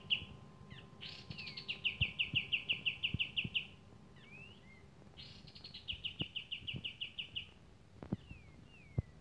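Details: Javan kingfisher calling in active voice: two bursts of rapid, even, high buzzy notes, each lasting about two seconds, with thin upslurred chirps between and scattered faint clicks in a quiet background.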